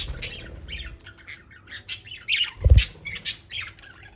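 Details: Playful free-flying pet parakeets indoors, a flock of hand-fed birds; scattered squawky chirps and short warbles, with soft wing flutters and a low thump near the middle.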